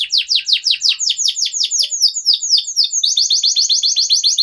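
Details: Young canaries' tutor song from a steadily singing canary: an even series of downslurred notes about five per second, followed by a quicker, higher-pitched run of short notes.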